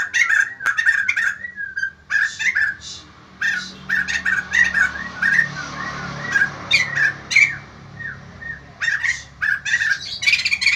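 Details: White-crested laughingthrush in full, vigorous song that sets other birds responding: runs of quick whistled chatter and rough squawking notes, with a low background hum throughout.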